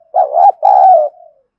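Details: Spotted dove with a 'thổ' style voice, cooing to provoke fighting: two loud, low, hoarse coo notes in quick succession, the second longer and slightly falling, ending in a soft trailing tail.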